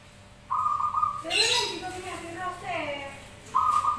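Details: Zebra doves calling back and forth in song for luring: a low, rolling coo with rising and falling stepped notes through the middle, framed by sustained buzzy higher tones and a loud hissy burst.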